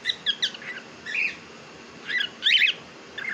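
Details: Pet cockatiel at home, called a talking bird, gives a few quick squeaky chirps, a wavering whistled note, then louder harsh squawks with a quieter chirp at the end.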